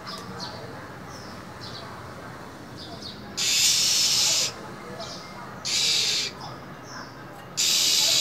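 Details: In cold winter a female minivet hisses and screeches repeatedly to rouse a male: three harsh breathy bursts of under a second each, a couple of seconds apart, with soft faint chirps between.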